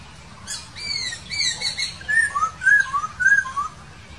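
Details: Laughingthrush in the wild: a run of clear whistled notes, first higher slurred phrases, then a series of lower falling whistles repeated about every half second, against quiet background hiss.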